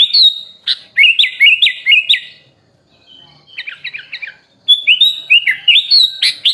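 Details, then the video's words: Masteran recording of sooty-headed bulbul song used to train cage birds: a chain of clipped, rising-falling whistled notes, a quiet pause, a soft chattering trill, then renewed loud fluting phrases. "MASTERAN BURUNG KUTILANG FULL ISIAN MEWAH||SUARA BURUNG KUTILANG"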